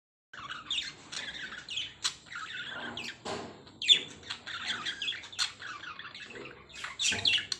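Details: Pet lovebirds calling after being shushed indoors: busy, high, scratchy chirps and squawks tumbling over one another, with a few louder sharp notes and bursts of breathy noise.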